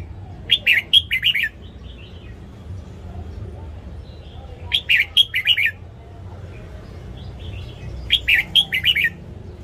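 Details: Morning song of a red-whiskered bulbul, played to coach young caged birds: three similar bursts of five or six rich, warbling whistles, spaced about four seconds apart, steady low hum beneath.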